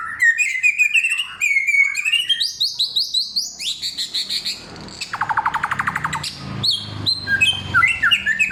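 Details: Samyong pouring out a loud, clear song of forest material: rising series of sweet whistles, a rapid climbing sequence, a low buzzy rattle, then scattered high chirps over faint background hum.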